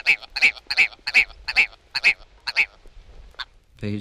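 Willow Ptarmigan giving a run of harsh, nasal, croaking notes, about three per second, then fading; a man's voice starts speaking at the end.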